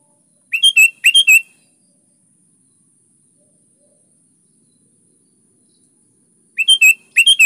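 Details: Sooty-headed bulbul singing energetically as a lure for other bulbuls: two bubbly whistled phrases in quick succession, a long silence of about five seconds, then two more matching phrases.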